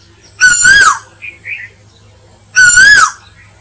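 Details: Asian koel call used as a lure for hunting: two loud, strained whistled notes about two seconds apart, each rising then sliding down, with soft chirps between them.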